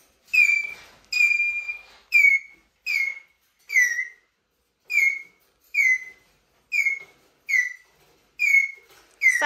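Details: Eurasian jay squeaking plaintively and persistently: about thirteen short, clear whistled squeals, each bending downward, repeated steadily under a second apart, with a sharp scratchy sound at the end.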